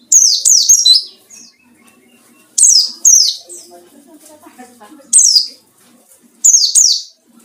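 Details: High, strident white-eye notes used to lure and provoke rival birds, clustered in quick pairs and triplets that slur sharply downward, separated by pauses filled with soft low background sounds.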